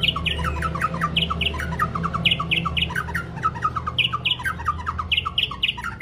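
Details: White-rumped shama long-voiced song, played to stir up and train other birds: dense repeated bursts of sharp chirps and squawky notes in quick, uneven clusters throughout, with a low background rumble.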